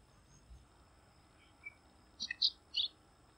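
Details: Calling Bengal bush lark giving a brief cluster of sharp, high twittering notes near the end, over a steady low hiss of background noise.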